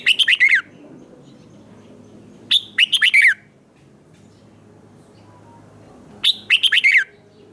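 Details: Red-whiskered bulbul singing in competition style to provoke newly caught birds: three quick phrases of four to six bright, slurred notes, each falling in pitch, separated by gaps of about two to three seconds.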